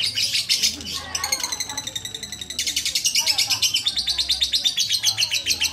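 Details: Lovebird held by a person, its rapid high chatter broken by a brief pause, then resuming in dense bursts of sharp repeated notes.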